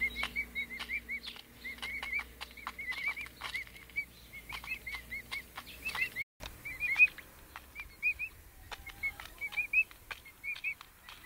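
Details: Several pet emu chicks, five weeks old, give high, thin whistled peeps, each a quick rise-and-fall, often in runs of two to four, over scattered clicks and tapping.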